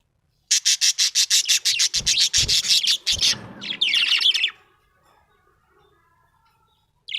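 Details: Cheerful budgie producing a fast train of evenly spaced, clicking chirps, about three per second, merging into a scratchy warble before falling silent.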